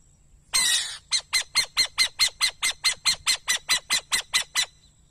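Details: Owl giving one long, harsh, breathy hiss, then a quick run of about fifteen short, raspy, screechy notes, evenly spaced a bit over two per second, loud and close, with faint low background hum.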